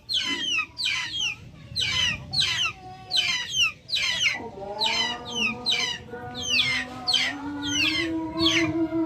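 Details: Backyard chickens peep in regular high, falling notes while a lower, drawn-out cluck joins from the middle onward, laid under the continuing chirps.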